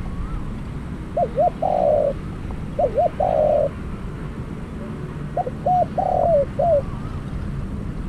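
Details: Spotted dove used as a decoy for trapping, three cooing phrases, each of short upslurred notes and a buzzy drawn-out coo, spaced about two seconds apart over low hum.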